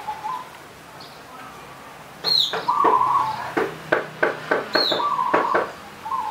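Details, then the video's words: Wild local zebra dove at a punden on the slopes of Mount Slamet, Banyumas: short trilled cooing phrases amid sharp knocking sounds and high squeaky chirps from other birds. "Perkutut Punden Lereng Gunung Slamet Manggung"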